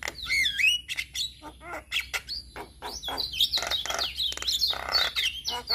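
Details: Male Javan myna singing to coach other mynas, a rapid varied medley of clicking chatter, scratchy bursts and slurred whistles, dense and irregular throughout.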